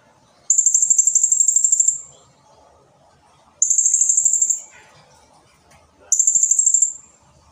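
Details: Blue-crowned hanging parrot singing a long, close-packed song: three very high, shrill trills of rapid buzzy pulses, each lasting one to one and a half seconds, separated by short pauses with faint murmuring noise.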